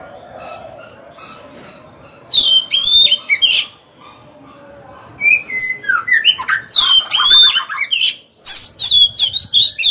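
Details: Magpie-robin decoy bird singing to entice challengers into a fight. Quiet at first, then a brief phrase of bright whistles, a pause, and a long run of fast, varied, swooping notes and trills.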